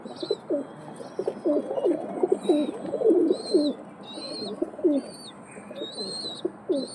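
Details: Pigeons give soft, throaty, rolling coos in a steady series, while a high, pure, slightly rising tone repeats in short bursts overhead.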